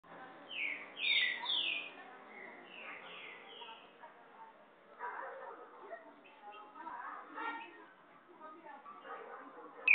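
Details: Green-winged Saltator singing the "boiadeiro" song type: a quick run of six clear, falling slurred whistles over about three seconds, then softer jumbled chatter and faint voices follow.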